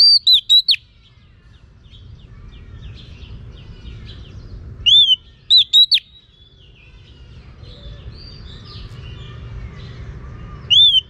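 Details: Female Oriental magpie-robin calling to stimulate males, used for training. Two short bursts of loud, clear whistled notes sliding up and down, about five seconds apart, with quiet low hum in between.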